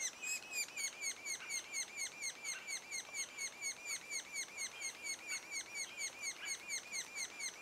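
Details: At a sapsucker nest, two days ahead of the first fledging, a long regular series of squeaky downward chirps comes about twice a second without pause.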